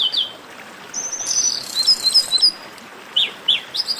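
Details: Chestnut-capped blackbird in esquenta warm-up singing: a thin level whistle and buzzy trill in the middle, framed by short sharp downslurred chirps repeated at irregular intervals.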